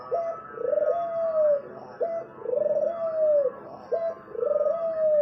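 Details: Repeated song of a spotted dove. Each phrase is a clipped first note, a quick tremolo roll, then a long coo that droops slightly. Three phrases at an even pace of about one every two seconds.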